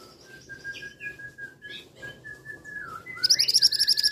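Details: Steady, thin whistled notes and a few slurred phrases lead into a male scarlet minivet's rapid trill of high, sharp repeated notes in the final second.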